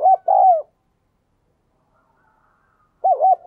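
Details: Diligent spotted dove with a 'đồng kim' voice, recorded to encourage newly caught birds to coo: the tail of one mellow cooing phrase, about three seconds of silence, then the start of the next phrase.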